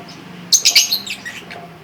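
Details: Two-month-three-week-old pet lovebird chick practising its chirping: a quick burst of three or four harsh, high chirps, then softer fading twitters within under two seconds, with a faint low hum behind.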